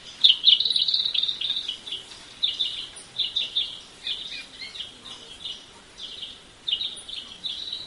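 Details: Several long-tailed silky-flycatchers at San Gerardo de Dota, Costa Rica, give high, dry chattering notes in quick irregular bursts against faint background hiss.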